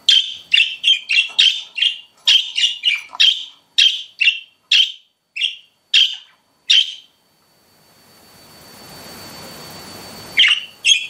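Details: Pet budgies producing a rapid, steady string of crisp chirps, around two per second for seven seconds, then a soft hiss of background noise before a final pair of chirps.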